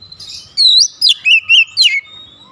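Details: Caged oriental magpie-robin (kacer) singing at a rival: five loud, clear whistled notes in quick succession, each sliding and rich in overtones, after a softer opening whistle.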